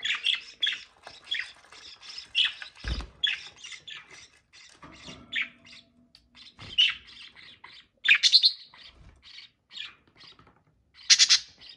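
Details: Budgerigars mating, with a long run of rapid scratchy chattering and squawky notes, punctuated by louder harsh bursts, plus one low thump early on.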